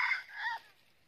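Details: Red junglefowl crowing during trapping in Vietnam, where a red-eared decoy bird meets a wild one; the crow style is called 'cà lắm'. One short two-part crow, a harsh first burst falling into a brief lower ending.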